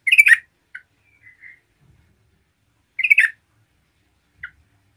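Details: Yellow-vented bulbul in full lively song to provoke other bulbuls: a bubbly chattering burst, soft thin notes, then another bubbly burst and one short chirp.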